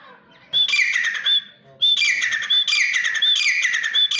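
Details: Grey francolin, called desi teetar, giving loud, harsh, ringing calls in repeated bursts. A first phrase is followed by a pause, then rapid repeated grating notes with sharp whistled accents run on without break. The background is quiet.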